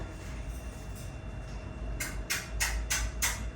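A low steady hum gives way to five quick, harsh scraping or rustling bursts, with no clear animal voice.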